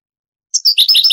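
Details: European goldfinch singing in the Granada style, from an old Spanish cassette of the 1980s–90s later transferred to CD; after a silent half-second, a quick jumble of high, bright twittering chirps.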